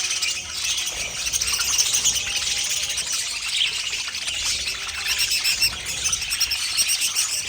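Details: A group of pet budgies keeps up unbroken high twittering and squeaky warbling, overlapping voices forming a dense chorus with a few sharper chirps standing out.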